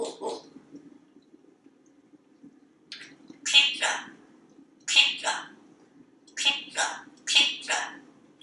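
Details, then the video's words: Male African Grey Parrot, hatched 1997, kept indoors at a home in Texas, perched on a kitchen faucet and talking: clipped, speech-like syllables grouped into short phrases of two or three bursts, separated by brief pauses in a quiet room. "Einstein resolves to talk more in 2020"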